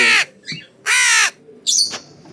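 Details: A hungry young crow, a growing baby being fed in the morning after its cage was uncovered, gives two loud, harsh, drawn-out caws about a second apart, followed by a brief higher squeal.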